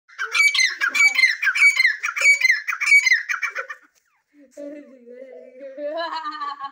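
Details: Wild grey francolin calling: a run of loud, harsh, squawking notes, roughly three a second for nearly four seconds. After a pause comes a softer rising drawn-out tone and a few fainter notes, with human laughter nearby.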